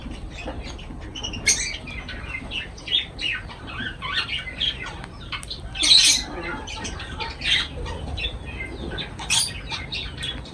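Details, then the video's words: Lovebirds at feeding time give scattered sharp, high squawking chirps in short bursts, with a louder cluster near the middle and a steady low hum underneath. "Love birds voice sound"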